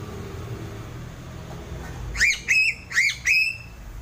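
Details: Four upslurred, piping whistles from a Sulawesi crow, or gagak sule, in two closely spaced pairs, rising over a constant low droning background noise.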